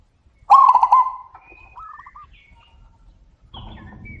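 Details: Zebra dove exchange: a loud, rapid string of pulsed, bubbling coos lasting about half a second, followed by a softer, more distant bird replying with a similar quick trill. Faint higher chirps from other birds.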